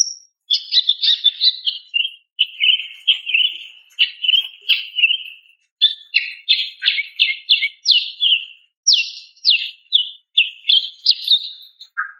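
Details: A long, nearly continuous stream of quick, slightly buzzy chirps and short whistles, varied in pitch, from a female greater green leafbird calling to a male.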